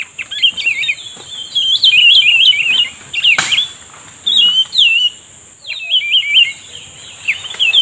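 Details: Cucak rumbai tungging answering a lure while being trapped: bright warbled phrases of rising and falling whistled notes in short bursts, repeated several times over a steady high insect-like hiss, with one sharp click midway.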